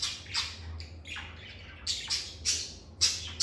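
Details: Lovebirds chirping in a calm, stress-free setting: a run of harsh, shrill squawks and chirps, roughly two or three per second, each sweeping down sharply, with a low steady hum underneath.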